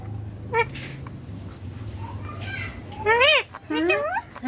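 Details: Green ringneck parakeet kept as a talking pet saying 'papa' and 'mummy': faint murmurs, then clear arched syllables near the end followed by a rising swoop, over a low room hum.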